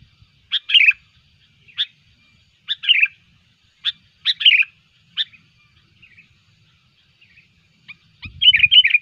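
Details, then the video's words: Sooty-headed bulbul giving short, bubbly, whistled phrases about once a second, bright and chattering, with a brief low thump near the end; described as a lively calling bird used as a lure for trapping bulbuls. "suara pikat burung kutilang gacor"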